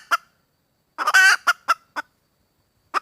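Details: Red junglefowl hen calling for a mate: a single cluck, a loud harsh rasping burst, then a few spaced clucks.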